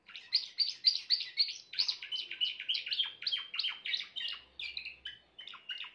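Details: Grey Timbrado canary delivering a long run of quick rolled notes, fast and even at first, later slowing into separate chirps and short trills, over a faint low hum.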